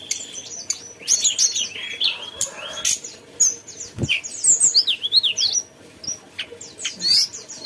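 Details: Mountain tailorbird singing a lively chattering song of high, fast whistled notes and trills, with sweeping zigzag phrases and sharp broadband clicks between them.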